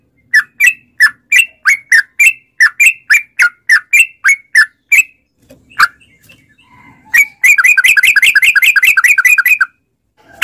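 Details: Sooty-headed bulbul lure recording for getting caged bulbuls to sing, in the long rapid ropel style. Bright, clipped two-part chirps repeat steadily for about seven seconds, then a fast rolling burst of warbled notes runs for two seconds.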